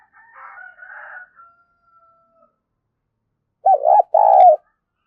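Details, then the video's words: Decoy spotted dove in the 'thổ pha thúc' voice style used to provoke and train birds: a soft wheezy murmur, then after a silence one short, loud cooing phrase of two low hollow hoots. "Tiếng chim cu gáy mồi giọng thổ pha thúc rất sung"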